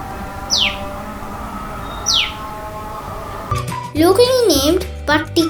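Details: A Common Tailorbird in Sri Lanka gives its slow call: two sharp, high, steeply falling notes about a second and a half apart over a soft musical hum, followed by a child speaking.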